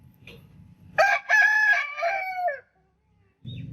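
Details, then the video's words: Single rooster crow, a loud harmonic cock-a-doodle-doo lasting about one and a half seconds, with clipped opening notes and a sustained last note that drops in pitch, followed by near silence and then low rumbling. "Rooster Crowing Sound Effect Continuously"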